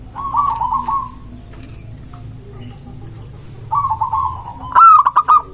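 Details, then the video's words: Vigorous local zebra dove song used to provoke rival doves: two stretches of soft rolling purring notes, the second building into a loud phrase of a long coo followed by rapid short notes. "Perkutut lokal gacor mengundang lawan bunyi"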